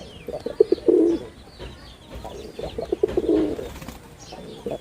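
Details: Performing male red-bordered wild pigeon, Bangladesh, giving two rough rolling coo phrases about two seconds apart, with faint high bird chirps in the background.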